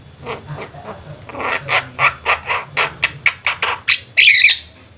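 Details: Javan mynas kept in a flock, calling together. A run of rhythmic harsh notes, roughly four per second and growing louder, ends in a burst of dense scratchy squawking, with low background hum.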